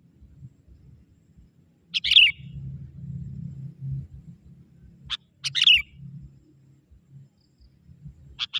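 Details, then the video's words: Young wild sooty-headed bulbul from the forest calling to lure wild bulbuls: short, bright, burry chirps repeated about every three and a half seconds over a low background rumble. "Suara kutilang muda hutan memanggil burung kutilang liar!!"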